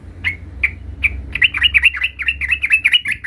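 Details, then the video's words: Caged young sooty-headed bulbul practising its rolling song: three spaced sharp chirps, then a quick bubbling run of wavering notes, with a faint low hum beneath. "suara trucukan gacor belajar Ngerol"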